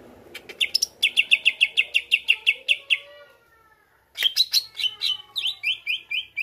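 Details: Greater green leafbird song meant to provoke others: a fast, even trill of sharp notes, a brief gap, then loud varied chirps and a string of upslurred notes.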